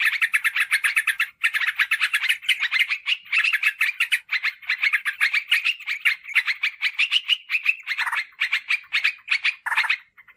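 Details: A yellow-vented bulbul gives a nonstop burst of harsh, chattering notes, fast, bubbly and mid-high pitched, with only the briefest pauses. The call is used as a lure to draw wild birds in forest or garden.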